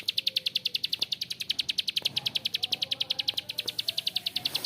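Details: Bar-winged prinia giving a rough, drawn-out ngebren: fast, even series of dry, high ticking clicks, about three to four each second, continuing without pause.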